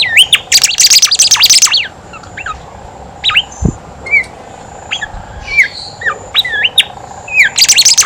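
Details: Horsfield's babbler singing, used as a lure to get other birds singing: loud bursts of dense, rapid chattering at the start and end, with short rising and falling whistled notes between them. A single low thump sounds midway.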